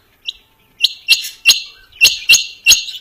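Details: Quail calling, named as harlequin quail, king quail and female rain quail; a hunting recording. Sharp, high chirping notes given singly and then in a quick series of six, roughly every quarter to half second, with a clean quiet background.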